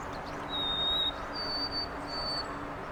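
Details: White-throated sparrow at Carl Schurz Park, New York City, on 25 March 2021: clear, pure whistles, one steady lower note, then two higher held notes, over a steady broad city hum.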